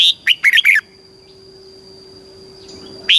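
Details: Thai caged red-whiskered bulbul giving southern master-style song to stimulate birds: one fast phrase of five bright, bubbling, slurred notes, then quiet with a steady whine until a new phrase begins.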